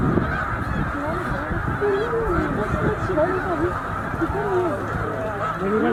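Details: About 100,000 snow geese on migration at Middle Creek wildlife refuge, bound for northern breeding grounds; thick honking chorus with wavering nearer calls rising and falling, possibly mixed with faint human voices.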